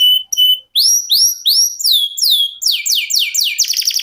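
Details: Canary in 'ngerol' song: short twin whistled notes, then drawn-out looping downward whistles slowing and speeding up into a fast buzzy trill at the end.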